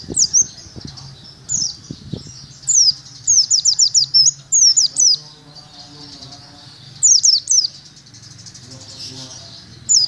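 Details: Caged pleci (Oriental white-eye) training at a cemetery: repeated high, sweeping downslurred chirps in loose bursts, some fast and stuttering, with a few low knocks early on and a soft background murmur.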